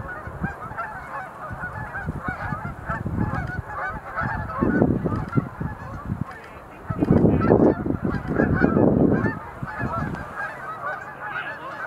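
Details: Sandhill cranes making display leaps at Montezuma National Wildlife Refuge visitor center in November 2020; a chorus of rolling, honking calls rises in loud bursts around the middle and later part, over continuous background calling.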